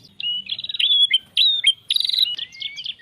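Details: White-rumped shama (murai batu) singing short bursts of buzzy and whistled phrases separated by brief pauses, ending in gliding whistles.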